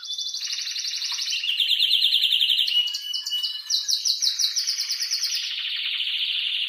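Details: Male canary in excited mating song, loud and strong, meant to ready the female for breeding. High rapid trills alternate with lower rolling ones, broken by a brief mix of sharp notes midway.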